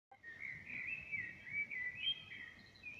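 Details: Common blackbird singing outside a window, caught on a smartphone: a continuous fluty, warbling phrase of rising and falling whistles, with a steady low background drone throughout.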